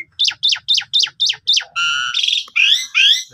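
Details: Asian pied starling lure song, rich in varied fill notes, meant to rouse a sulking starling: six sharp descending chirps at a steady pace, then a long buzzy harmonic note and two rising-falling raspy whistles.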